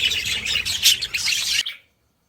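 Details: Many budgerigars chattering together in a clamorous chorus, with rapid overlapping chirps and warbles packed into a bright, busy burst that cuts off abruptly after under two seconds.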